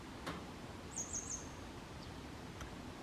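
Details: Grey wagtail, 22 May 2023, Kotoura, Tottori Prefecture, Japan, recorded handheld with a Canon SX740HS: a brief, shrill three-note high flourish, with faint clicks before and after in an otherwise quiet rural setting.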